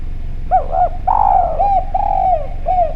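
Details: Javanese spotted dove, clear and actively calling, its voice used to draw other doves to call: a quick double coo followed by long, gently falling coos and a final short coo.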